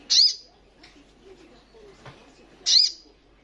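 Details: Female ruby-cheeked sunbird in breeding condition calling to a male: two sharp, very high, slurred notes about two and a half seconds apart, with quiet background between them.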